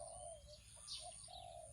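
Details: A trained spotted dove, out on its first training day in the owner's family rice field around 9 a.m., calling wild doves, gives soft, low, hollow coos in short drawn-out notes, over a steady high insect drone and faint outdoor hiss.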